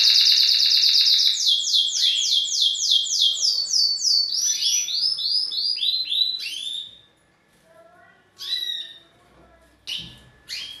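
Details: Canary male singing to a female to push her toward mating posture; series of rapid repeated swooping notes stepping gradually lower, then quieter gaps broken by a few short bursts.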